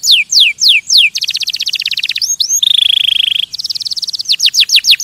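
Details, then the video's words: Canary song to stimulate other birds: three loud falling whistles, a rapid chattering trill, a sustained buzzy roll, then a quick rattle closing with downswept notes. "Kanarienvogel singt um Vögel zu stimulieren"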